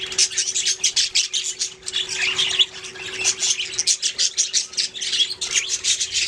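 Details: Group of budgerigars chirping and singing in a busy stream of quick high squeaky notes and chattering warbles, with a constant low hum in the background.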